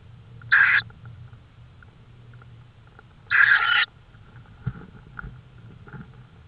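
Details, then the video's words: Tawny owl at night in Estonia, 5 May 2013, 22:30: two loud, hoarse, hissing screeches about three seconds apart, followed by faint clicks and a low hum. "tawny owl"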